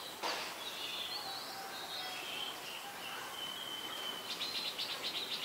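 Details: Malaysian pied fantail in Ubon Ratchathani, Thailand, late afternoon of October 14, 2021; a string of thin, high whistles glides gently downward, then ends in a rapid series of squeaky chips, with constant background hiss.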